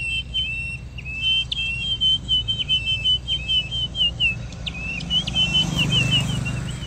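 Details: White-rumped shama of the Langkawi strain: a long series of clear, evenly repeated whistled notes, each with a brief upward flick, continuing for several seconds before rising background noise.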